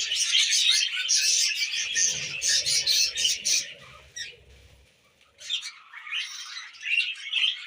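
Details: Budgerigars eating millet chatter in fast, buzzy twitters that fade to near quiet for a moment after four seconds, then start again, with low rustling midway.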